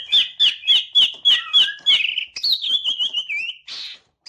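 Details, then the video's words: Tail-fanning green leafbird delivering about seven quick repeated whistled notes, roughly three per second, that run into a continuous wavering, warbling high trill and end with a short harsh burst. "CUCAK IJO MAIN EKOR NGIPAS"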